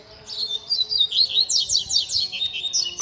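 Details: Double-collared seedeater teaching song for young birds: a quick high phrase of clipped notes, then a string of steep, rapidly repeated downslurred chips and short buzzes, with faint steady hum behind.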